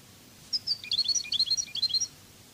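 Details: Spanish goldfinch, Cádiz song style, from a training CD: a single rapid phrase of about twenty liquid, chirpy notes jumping up and down in pitch, lasting roughly one and a half seconds.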